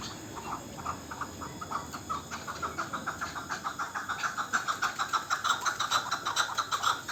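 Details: Last year's young local chukar partridge delivering a rhythmic chuk-chuk series, about two notes a second, that grows steadily louder and harsher as it goes on.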